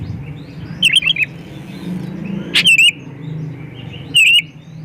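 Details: Song of a white-rumped shama, played to lure other shamas to sing: three loud bursts of sharp, wavering whistled notes with metallic overtones, spaced about one and a half seconds apart, over a constant low droning hum.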